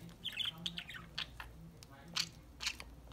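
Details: Pet parakeets chirping to one another while they play and eat corn, giving short whistled notes and rough chirrups in quick succession over a low background hum.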